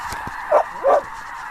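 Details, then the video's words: Snow geese migrating in flocks through a blizzard at Clinton Lake, Illinois, on 6 February 2016, recorded at close range: two loud, short nasal honks about a third of a second apart stand out over a steady distant flock chorus. "snow geese blizzard"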